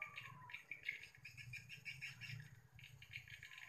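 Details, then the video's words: Swiftlets calling in the late afternoon on 31 October 2021, responding; dense overlapping sharp chirps repeat rapidly and steadily throughout, over a constant low mechanical hum. "respon walet akhir okt 311021 petang"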